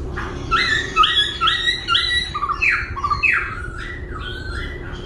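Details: Laughingthrush singing as it dances, shifting voice continuously: strong repeated whistled notes that rise then fall, given in quick even series, followed by softer varied phrases.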